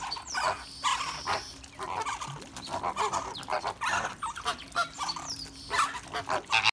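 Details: A breeding group of greater flamingos (Phoenicopterus ruber roseus) in a dense, goose-like chorus, harsh nasal honks and grunts overlapping continuously in a steady, clamorous babble.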